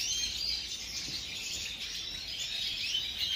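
A European goldfinch sings a fast, unbroken, high tinkling twitter of liquid chirps and trills, with no clear pauses, over faint background hiss.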